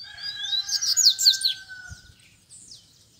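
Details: Male rusty-collared seedeater in a cage, separated from the female, singing with fierce energy and calling rivals to fight while free birds approach. A fast warbled phrase of bright, slurred high notes falls away, with a long steady tone beneath.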